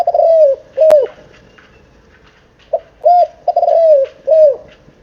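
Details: Seven-month-old spotted dove cooing: a series of low, arched coos in uneven clusters with a pause in the middle, accompanied by faint higher chirps.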